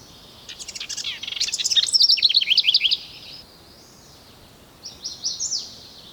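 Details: In early July in woodland of the Oldman River Valley, southern Alberta, a house wren inspecting a potential nest site in a hollow tree sings a fast, bubbling cascade of high trills and chatters, then a shorter burst.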